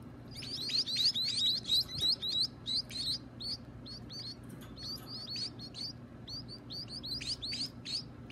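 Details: Young birds calling at feeding time in their keeper's care: a fast run of high thin chirps with sharp upward flicks, loudest early, then thinning into scattered overlapping squeaks from more than one chick.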